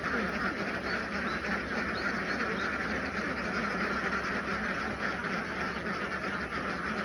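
Many ducks quack at once in a dense, overlapping chorus, with rapid, irregular nasal calls several times a second and no pauses.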